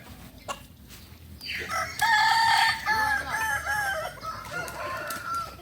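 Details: Crowing contest of kukuak balenggek chickens in Panyakalan, Solok: after a quiet start, a loud drawn-out crow with several held, wavering segments, over a noisy background.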